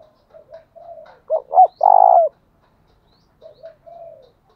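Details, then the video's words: Spotted dove used as a decoy, cooing to provoke wild doves: soft low murmurs lead into two short notes and a long rough coo, then quieter murmured coos trail off. "Chim Cu Mồi Thúc Đấu, tiếng gáy hạp bổi, bổi nghe gáy"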